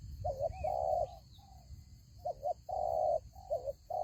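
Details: Decoy spotted dove at a ground trap, cooing in quick clusters: a brief two-part coo then a long sustained coo, a pause, then paired short coos and another long one, with low rumbling behind.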